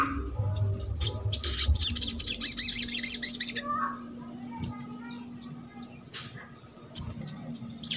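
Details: A sogok ontong sings in trotol style, used as a lure to coax silent birds into song. It gives a two-second shrill high trill, then well-spaced sharp single chirps follow.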